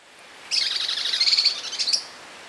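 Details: A Rufous-breasted leaftosser (Sclerurus scansor) in Cachoeiras de Macacu, Rio de Janeiro, Brazil: a high, sharp, rapid chattering series of notes lasting about a second and a half, against a quiet background.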